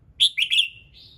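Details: Morning song of a red-whiskered bulbul, intended to trigger singing in other birds: three rapid bright whistled notes running into a slurred tail, then a softer separate whistle.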